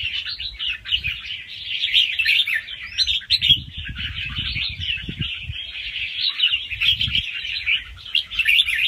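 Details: Young wild red-whiskered bulbul giving quick, light rounds of song with doubled notes, used to get other birds excited. Steady, dense warbling of whistled notes, with low thudding noises in the middle of the clip.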